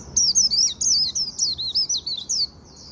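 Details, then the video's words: Japanese white-eye singing a líu-style song in the afternoon: a rapid, high, thin warbled phrase of tumbling twittering notes lasting over two seconds, then trailing off into a faint note. "Chim khuyên líu buổi chiều"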